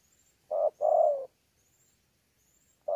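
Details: Spotted dove, wild-caught, recorded in Sa Thầy on 26 November 2019, delivering one contest-type coo phrase: a brief hoot followed by a longer falling note, then silence before the next phrase begins.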